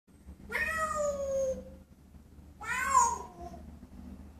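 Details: A grey parrot mimics a cat with two drawn-out meows about two seconds apart, the first falling and the second rising then falling, over a quiet indoor hum.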